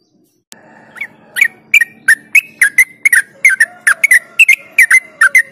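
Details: Yellow-vented bulbul in rapid ropel singing, a lure to stimulate other birds: after a sudden start, a steady stream of bright, clipped chirps repeats over five seconds, with a faint lower whistle near the end.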